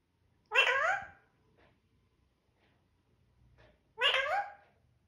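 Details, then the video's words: Parrot kept as a pet, talking "mithoo" in a small room: a pair of strong, harmonic, rising-then-falling utterances roughly three and a half seconds apart, with faint background murmur. "Parrot speaking mithoo"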